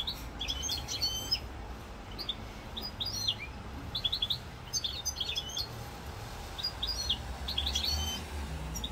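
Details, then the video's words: European goldfinch in Corsica, recorded 7 November 2022, singing short bursts of bright twittering, tinkling notes with quick rising and falling slurs, broken by brief pauses, over a low steady background hum. "chant chardonneret"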